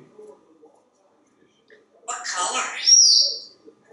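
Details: Talkative African grey parrot indoors at evening waiting for dinner, uttering a short speech-like burst that ends in a clear high whistle.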